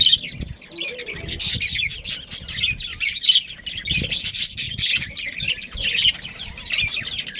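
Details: Budgerigars, a breeding colony of Australian parrots, chatter continuously with dense overlapping chirps and warbles, many birds calling at once, with low thumps and rustling beneath.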